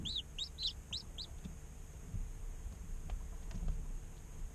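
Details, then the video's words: Baby chickens a day old inside an incubator give a short burst of five high, bent peeps in the first second, then fall quiet, leaving low rumbling, faint taps and a constant hum. "Chicks Chirping Sounds - Baby Chicken Sounds"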